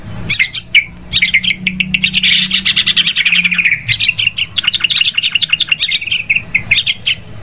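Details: Very noisy Yellow-vented bulbul calls used to lure the birds for trapping: lively rapid chirping that builds into dense, overlapping bubbling chatter, with a soft low hum beneath.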